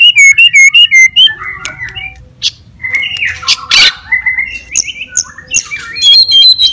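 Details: White-rumped shama fighter song to stir up other shamas: a fast burst of about ten identical clipped high notes, then a varied jumble of chirps, a harsh broadband rasp, and more rapid high trills.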